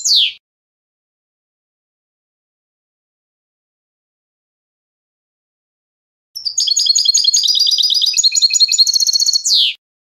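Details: European goldfinch (Carduelis carduelis), song.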